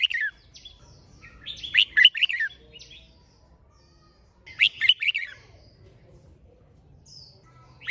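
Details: Red-whiskered bulbul giving competition-style song intended to urge birds to sing: two dense bursts of fast, bubbling, slurred whistles about three seconds apart, with quiet high notes in the gaps.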